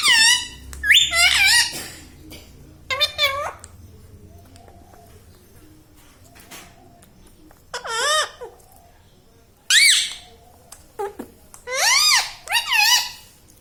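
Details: Pet green rose-ringed parakeet said to talk, saying words such as mummy, papa and radhe: bursts of harsh, harmonic, speech-like squawks with rising and falling bends, in groups separated by quiet gaps, with faint room noise.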